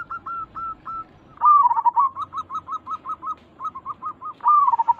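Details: Lure call of a local zebra dove meant to provoke answers from other doves; short hooked notes, then a loud rolling burst, a fast string of evenly spaced coos, and another loud rolling phrase at the end.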